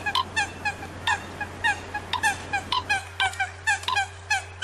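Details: Eurasian coot calls come as crisp, short, downward-sliding nasal notes, repeated about three times a second in an uneven rhythm, with a faint steady hum behind.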